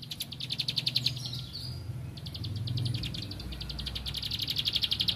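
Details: A bar-winged prinia seeking a rival gives fast, high, ticking runs that rise and fall in loudness over steady low background noise.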